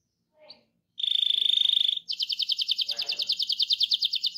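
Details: Caged canary in a rolling song used to spur other canaries to sing: a short faint note, a steady buzzy trill near one pitch, then a fast repeated higher trill with pulses.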